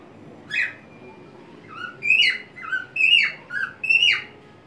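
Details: Pet white-faced cockatiel swinging on a homemade perch inside a small crate, singing cheerfully with spread wings; five or six loud, clear whistled phrases, several rising then dropping, come roughly every half second after a brief single opening note.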